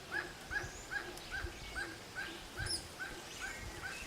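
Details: Forest barbet repeating a short hollow note at an even pace, roughly two and a half per second, over soft rustling background and a few thin, high bird chirps.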